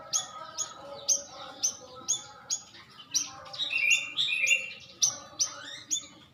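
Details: Stripe-throated bulbul lure sound: regular high, downward-flicking chirps about twice a second, broken near the middle by a fuller, warbling phrase, then the steady chirping returns.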